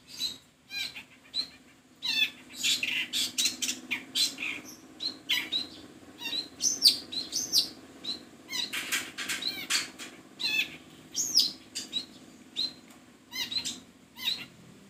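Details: Long-tailed shrike singing a busy, chattering song of sharp, harsh bursts and quick squeaky notes in rapid clusters, with brief pauses between phrases and a faint low hum underneath.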